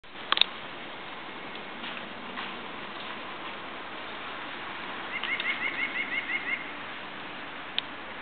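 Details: White-breasted nuthatch calling on 21 January 2018 at Kern Road Mennonite Church: a quick run of about eight short, nasal, even-pitched notes over a steady background hiss, with a couple of sharp clicks.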